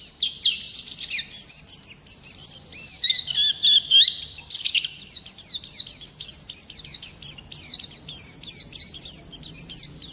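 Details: Oriental white-eye, ngalas type, pouring out a long rolling song: dense high twitters, a short descending run partway through, then a fast chattering series of sharp upslurred notes.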